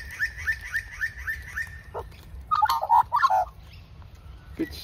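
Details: At a local reserve, a female Australian magpie being fed by a person sings: a run of six quick, repeated chirps, a pause, then a loud burst of tumbling, warbled notes; a person speaks faintly.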